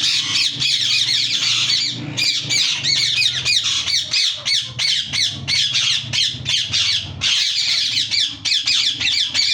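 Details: A yellow ringneck parakeet screeches steadily, harsh rasping squawks packed into long continuous bouts broken by short pauses, over a persistent low hum.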